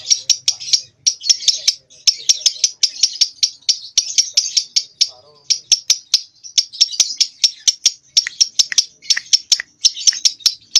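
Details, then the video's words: Two-month-old lovebird practising ngekek in its nyeklek style, still too young for long runs: rapid, sharp, high clicking chirps repeated about three times a second, with dense chatter between, continuing steadily. "LOVEBIRD PAUD Nyeklek Belajar Ngekek"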